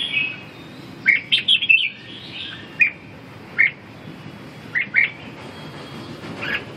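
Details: A red-whiskered bulbul giving short, clear whistled notes, some in quick pairs, spaced by pauses of a second or more, over a steady background hiss.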